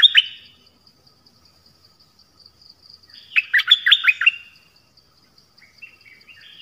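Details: Dok Taeng bird singing: a sharp note at the start, a long pause, then a quick cluster of bright chirped notes, and a faint soft warble near the end, all over a thin steady high whine.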